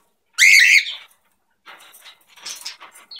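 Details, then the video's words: Pet cockatiel during its morning routine at home, giving one loud harsh squawk followed by faint chattering. "Cockatiels Morning Routine"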